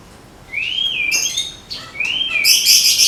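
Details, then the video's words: White-rumped shama from Medan, ready for the contest pole, gives clear whistled notes that rise then dip, followed by a loud harsh burst of high scratchy notes at the end. "SUARA TEMBAKAN MURAI MEDAN SIAP DIPINANG DI GANTANGAN"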